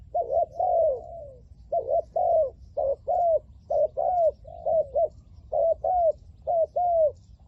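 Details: Decoy spotted dove calling wild doves in, 'lio tan' style: a sustained rhythmic string of about fifteen coos, paired quick and down-slurred notes recurring roughly once a second, over faint low background noise.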